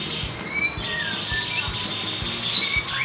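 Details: Caged white-rumped shama placed beside a road in a crowded place as training so it stops fearing people; thin whistled notes and short chirps rise and fall over steady low thumping and general street noise.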